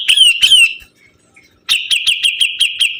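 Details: Sibuntung bird in lively song: two loud downslurred chirps, a short silence, then a brisk run of about seven high, evenly spaced chirping notes.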